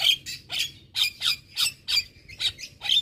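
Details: Javan myna giving harsh, squawky notes repeated about three times a second, each a short scratchy burst.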